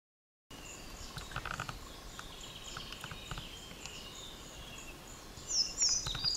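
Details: Male collared flycatcher song: faint high squeaky notes over soft background hiss, ending with a short burst of sharp, thin, high-pitched chirps.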